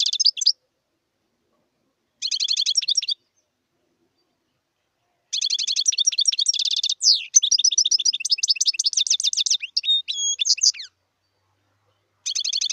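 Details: A wild European goldfinch gives bursts of fast, bright twittering song, several seconds of chattering trills and liquid notes broken by silent pauses, then starting again.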